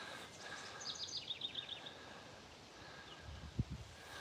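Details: A Yellow warbler in the morning, among vetches in bloom, with male orioles and a catbird nearby, gives a quick, high, sweet run of about eight bright notes slipping slightly downward, over steady outdoor rumble with a single low thump.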